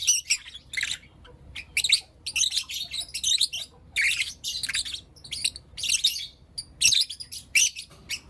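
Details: Lovebirds in blue opaline and lutino opaline colours chirp through the morning, repeated bursts of raspy high chatter arriving roughly every half second with short silences between.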